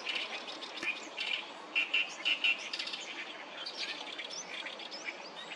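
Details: Many oriental reed warblers singing loudly at Sawatari River on 7 June 2024; harsh repeated notes with a few louder grating syllables in quick succession.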